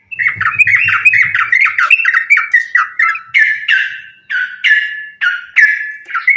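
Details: Fighting-style lure song, tarung sambung ropel, of a Sooty-headed bulbul, used to provoke bulbuls into singing: rapid chattering phrases at first over a low rumble, then spaced, loud, harsh falling notes around every half second.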